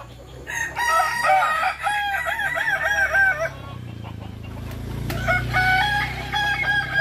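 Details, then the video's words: Kukuak Balenggek rooster at a crowing contest practice in Sawah Lunto gives a long stepped crow of repeated wavering syllables for about three seconds, then a second crow starts after a pause, over a steady low hum. "Latber Ayam Kukuak Balenggek di Sawah Lunto"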